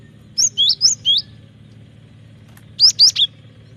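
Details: Cinereous tit singing vigorously, used as a lure and training song for birds: two bursts of high, clear whistled notes, four quick slurred notes, a pause, then three more, over a steady low hum.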